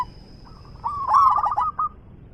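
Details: A single song phrase from a local zebra dove with a big voice: soft lead-in notes swell into a loud, rapid rolling coo trill that ends with one clipped note.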